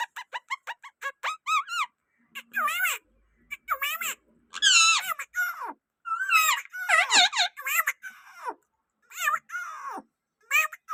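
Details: Rose-ringed parakeet talking in a sweet voice indoors: rapid squeaky syllables at first, then wavering word-like phrases in separate bursts with short pauses between them.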